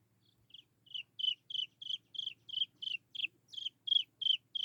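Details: Chinese francolin chick calling to lure its mother: a steady series of short, high, slightly falling peeping notes, about three per second, each note a quick buzzy burst, starting softly and growing louder, over a faint low hum.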